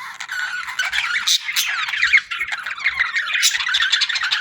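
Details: Parakeets chirping in a summer setting: dense, continuous warbling chatter of many birds, with quick rising and falling whistled notes, squawky bursts and short clicks overlapping throughout.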